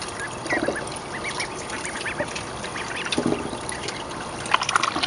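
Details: Young mallard ducklings, about 29 days old, raised in a school courtyard in spring, give a chorus of short, high, rising peeps and a few low quacks, overlapping continuously, with faint background noise.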